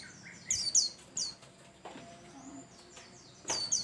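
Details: White-eye of the Bustomi type in active song meant to prompt other birds: clusters of two or three piercing, falling chirps, a thin drawn-out whistle in the middle, and a final pair of high notes.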